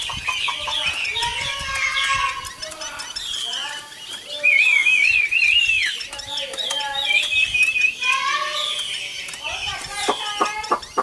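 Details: Old wild-caught Chinese hwamei, a caged bird noted for a fine voice, singing a rich, varied run of loud whistled phrases, slurred warbles and sharp rising notes, with a long wavering trill in the middle and quick choppy notes near the end.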